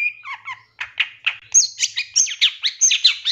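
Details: Long-tailed shrike song used as a master recording to train captive birds, full of mimicked phrases: varied chirps, squeaky notes and downslurred whistles, ending in a fast, regular run of high, sharp notes.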